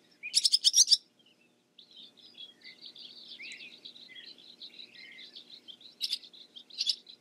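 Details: Barn swallow giving a loud burst of rapid high chirps, then a long, quieter twittering warble with scattered squeaks, and more sharp chirp bursts near the end.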